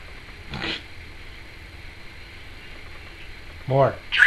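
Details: A pet Timneh African grey parrot speaks two short, voice-like words, part of saying "trick or treat", in a small room with a steady low hum.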